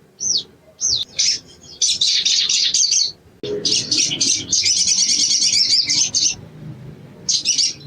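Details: Sogon used as song-training material: a couple of high arched whistled notes, then long dense bursts of very high, scratchy, rapid chattering trills that run for several seconds before a last short burst.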